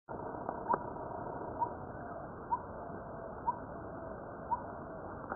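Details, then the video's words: Coppersmith barbet giving its metronomic call, likened to a coppersmith hammering metal: single hollow 'tuk' notes repeated about once a second against a quiet, muffled background. "Coppersmith Barbet Call"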